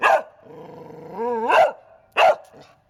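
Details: A pet bird, Casper, imitates a dog in a bark-off with a dog, giving three gruff, bark-like bursts, the middle one drawn out with a rising, whining tone; he loves being barked at by dogs.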